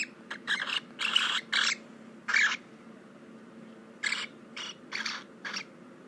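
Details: A cockatiel of unknown sex gives harsh, raspy bursts of sound at an uneven rhythm, some in quick pairs; the owner does not know what the sound means.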